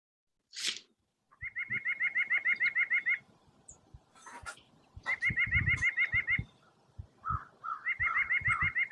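White-breasted Nuthatch giving three quick runs of nasal, evenly pitched notes, each run lasting about a second and a half, with soft thumps and handling noises between.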